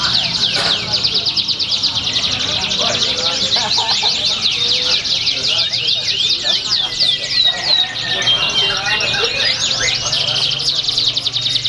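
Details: Competition canary song recorded at a Pringsewu bird contest on 22 September 2019: nearly twelve seconds of unbroken, very high, quick-fire trills and twittering phrases, with neighbouring canaries joining in and soft crowd chatter below.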